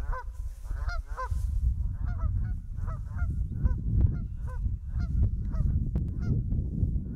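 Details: Field recording from 2015 of Canada geese on an Olympus LS-20m: a dense run of short, reedy honks from several birds, evenly paced and overlapping throughout, with a constant low-pitched background rumble.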